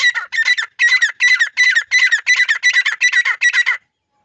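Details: Grey francolin chicks giving a loud, rapid run of about ten harsh, grating notes at an even pace, close and clear, then abrupt silence.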